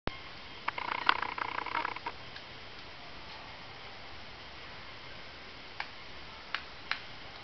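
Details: Ladder-backed woodpecker pecking a tree in a park: a quick, uneven run of dry taps for about a second and a half, then three lone knocks, over a steady hiss.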